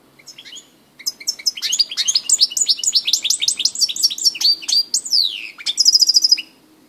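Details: European goldfinch singing at Grahovljak on 2 March 2016: a fast, tinkling twitter of high, sweeping notes and rapid trills. It ends with a bright, buzzy burst after a brief pause, against a quiet background.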